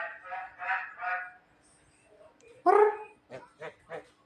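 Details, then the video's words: Javan myna, called clever and amusing, producing a run of nasal, wavering harmonic notes, then one loud squawk followed by several short clipped calls, with music playing softly. "burung jalak kebo pintar yang lucu"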